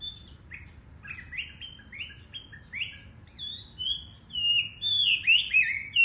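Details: Wambi bird in lively, melodious song: quick bursts of high whistled notes, each sliding up or down, building louder and longer toward the end, over soft low background noise.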